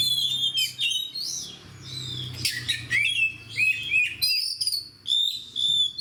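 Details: A hobby-kept fighter oriental magpie-robin sings loudly. Long steady whistles lead into rapid rising slurs, harsh rasping bursts and renewed pure tones, in phrases separated by brief pauses. A faint low hum is audible.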